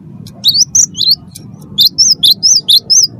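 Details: Chatty cinereous tit, wingko type, singing to stir other birds into song: a run of high, sharp whistled notes in quick, evenly spaced rising-falling pairs over a faint low hum.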